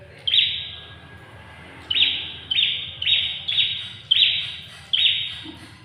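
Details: Ashy tailorbird giving sharp clipped notes, each trailing into a short buzzy tail, repeated at uneven intervals of about half a second to a second and a half, over a low steady background hum.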